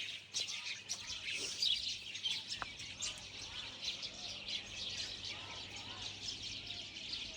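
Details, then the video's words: Many small birds chirping together outdoors, a dense continuous chorus of high, rapid tweets and short trills with overlapping voices and no clear pauses. "Birds Chirping Sounds"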